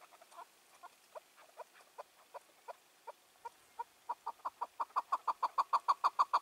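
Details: Wild chukar, released two years earlier and now five to six years old, calling on the evening of 4 June 2023: spaced soft chuk notes that speed up and grow louder into a rapid, rhythmic run.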